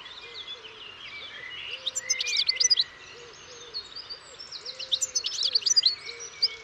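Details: European goldfinch song in two jangling, twittering phrases with bright trills, over a softer, low, repeated hooting coo from another bird in the background.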